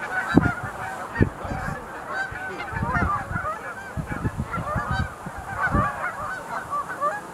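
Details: Loud massed calling of sandhill cranes at the Visitor Center pool, Montezuma National Wildlife Refuge, 20 November 2021: overlapping rattling bugles throughout, punctuated by repeated low thuds of wind or handling noise.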